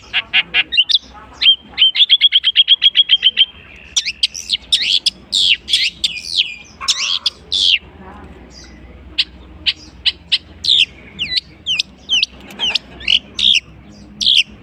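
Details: A long-tailed shrike copying other birds' songs: a fast rattling trill at first, then a long run of sharp, high, clipped chirps and squeaky notes, repeated steadily with short gaps.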